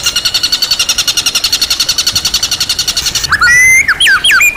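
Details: White-rumped shama (murai batu) with a full, luxurious song repertoire: a steady fast rattle of repeated high notes for about three seconds, then loud ringing whistled phrases that swoop up and down.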